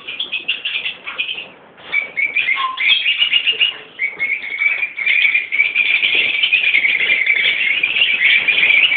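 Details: Mixed colony of Peach-faced and Fischer's lovebirds, parents and young together: dense, shrill, overlapping chattering and squeaky calls from many birds, nearly continuous, with brief lulls near the second and fourth seconds before swelling louder.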